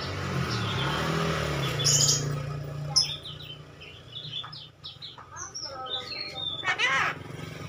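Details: Javan myna (jalak kerbau), a talking bird, opens with a low droning hum and a buzzy burst. A quick series of short whistled chirps follows, then a harmonic voice-like phrase.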